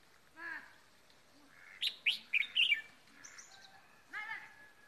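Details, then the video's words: Seasoned decoy red-whiskered bulbul in Ba Vì, Vietnam, after Lunar New Year; a lively cluster of loud chirps and warbles mid-phrase, framed by softer harmonic call notes. "ra tết có chào mào mồi"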